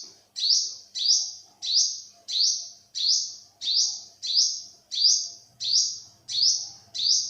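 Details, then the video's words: Rapid, steady run of about eleven shrill, thin notes from an olive-backed sunbird. Each note has a sharp rising start and a sustained high tail, repeated roughly every 0.65 seconds, with a faint low hum near the end. "เสียงนกกินปลีอกเหลือง Olive-backed sunbird, Yellow-bellied sunbird"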